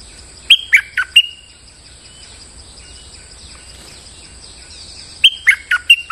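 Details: Lure recording of a bulbul: a quick four-note chirped phrase with a lingering whistled tail, then about four seconds of hissy quiet before the same phrase returns.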